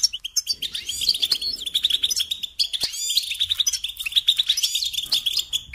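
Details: Goldfinch song from a kept songbird, a fast continuous twitter of high chirps and liquid trills with occasional buzzy swept notes and faint clicks.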